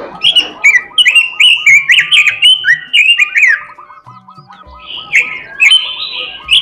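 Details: Robin singing steadily with imitated phrases: rapid, loud, chattering high slurs over a series of short, repeated lower notes, a quieter gap, then more bright warbled phrases.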